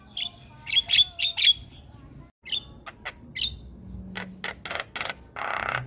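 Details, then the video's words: Javan myna singing loudly, other birds joining in: a quick run of bright chirps, a brief pause, then sharp clicks and a harsh hissing rasp at the end. "Jalak Kebo gacor Tak Kenal Waktu Bikin Ribut Burung Lain Ikut Bunyi"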